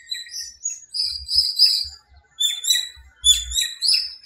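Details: Loud, close birdsong at dawn in a small park in breeding season: rapid high twittering and sharp chirps in dense bursts, broken by a brief pause, with soft low thumps in the background.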